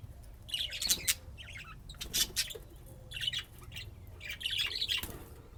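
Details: Budgerigars at play in Austin, Texas, USA, chirping in bright, buzzy chattering bursts roughly once a second, with sharp clicks between phrases over a low background hum.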